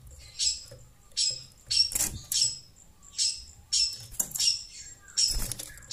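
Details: Long-tailed Shrike calling after hearing a phone, harsh high rasping bursts spaced about every half to one second, mixed with broad rustling or flapping thumps.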